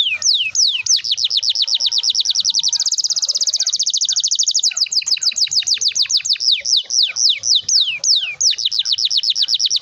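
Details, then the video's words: Canary delivering a long continuous roll to spur young canaries into song: downward-slurred notes speeding into a dense rapid trill, then slowing back to separate falling swoops, nearly ten seconds without a break. "kenari gacor ngerol panjang ini 100% ampuh buat PANCINGAN KENARI paud belajar bunyi/malas bunyi"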